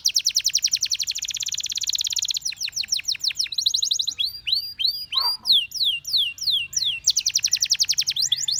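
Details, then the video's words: Canary song opening with a dense, fast trill, then arcing slurred notes, a run of looping whistles and a return to the rapid rattling trill at the end. "The Most Beautiful Canary Chirping Sounds"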